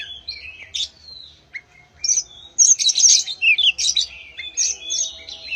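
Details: White-rumped shama singing to prompt other birds: clear slurred whistles and rising notes at first, then a faster jumble of chattering, varied high phrases.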